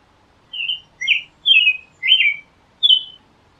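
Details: Singing American robin delivers five clear caroling phrases, slurred whistles alternating in pitch, separated by short pauses in an otherwise quiet setting.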